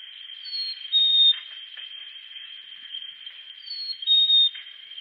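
A chickadee gives a clear two-note whistle, high then slightly lower, twice about three seconds apart, over a steady high ringing tone.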